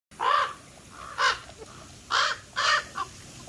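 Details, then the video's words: Black crows calling out in the open, four loud, harsh caws spaced irregularly over about three seconds, with a fainter short call between them. "BLACK CROWS SERENADE THE SON"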